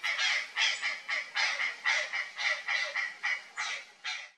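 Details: An alarmed Purplish Jay in the Pantanal, startled by something strange in a bush, gives a rapid series of harsh, raspy, nasal calls, about ten in four seconds, loud and scolding.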